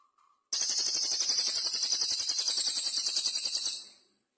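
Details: Cililin, the velvet-fronted nuthatch, singing briskly with pauses: a brief faint note, then a sustained rapid trill of high, sharp chips, about three and a half seconds long, ending in a fade; otherwise quiet.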